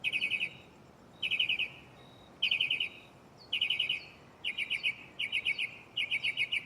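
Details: Mockingbird singing at night from a tree right beside the recorder, delivering varied borrowed phrases: short bursts of rapid buzzy trills repeated in groups about once a second, with brief pauses between them.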